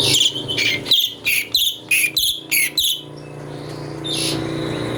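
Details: Cucak cungko (chestnut bulbul) singing a variation used to train magpie-robins: quick run of sharp whistled notes, some rising, then a quieter stretch with a faint single note and low hum.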